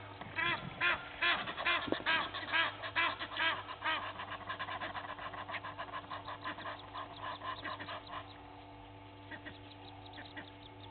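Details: Two Egyptian goose families fighting at a waterhole in Sabi Sand, South Africa, six in the morning in April; loud regular honks for about five seconds, then softer scattered calls over a persistent low hum.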